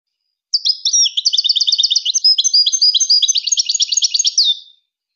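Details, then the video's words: European goldfinch song, a rapid stream of bright, high twittering notes and short repeated trills running for about four seconds, with tinkling buzzy phrases; no other sounds. "Serenading Goldfinches"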